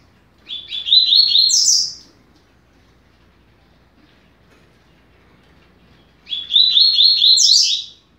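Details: Double-collared seedeater singing a 'rápido de bico' song for young birds to learn: two clear, rapid phrases of about one and a half seconds, each made of stacked quick notes rising to a high upward sweep, about five seconds apart.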